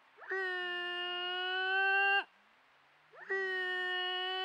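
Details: Female malleefowl calling to her mate close by in Patchewollock Conservation Reserve; two drawn-out, level, nasal calls rich in harmonics, each about two seconds long with a quick rising start, separated by a short quiet gap.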